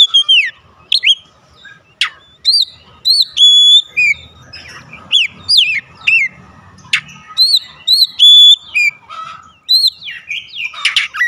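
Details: Oriental magpie-robin singing as a daily lure for prompting other birds to sing; quick series of sharp downslurred whistles, a few steady high tones and scratchy notes, delivered in rapid varied bursts.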